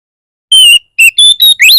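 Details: Oriental magpie-robin lure song played so other magpie-robins answer: a long flat whistle, then short level whistled notes stepping upward, ending in a rising sweep.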